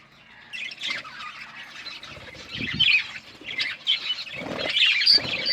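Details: Pet budgies of many colours chirping, soft scratchy warbles at first, growing into louder squawky chatter with a few sharp squeaks.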